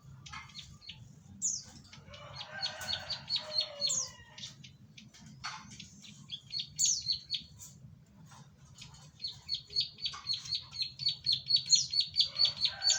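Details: Bar-winged prinia in lively song: scattered high chirps and a harsh, scratchy stretch give way to a long, fast, steady run of sharp high notes that grows louder toward the end.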